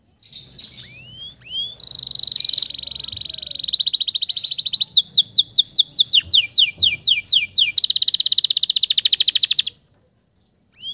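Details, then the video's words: Male canary in full song, used to coax stressed, silent canaries back into singing; a long buzzy trill, then fast repeated sweeping notes and rapid rattling trills, ending abruptly. "TERAPI KENARI STRESS MACET BUNYI AGAR CEPAT GACOR LAGI DENGAN SUARA PANCINGAN KENARI JANTAN GACOR"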